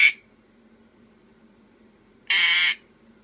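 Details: Pet sun conure burping indoors: a single short, harsh, raspy burst with a dense buzzy tone lasting about half a second near the end, preceded by a brief sharp click-like sound at the start, with quiet room background between.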